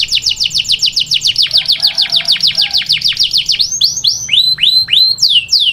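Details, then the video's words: Taghreed song of a canary, meant for training young chicks: rapid high trilled notes repeated in a quick even series, then slower, looping, down-slurred whistles near the end. The background stays quiet. "Taghreed canary to train chicks canario taghreed para entrenar pollitos"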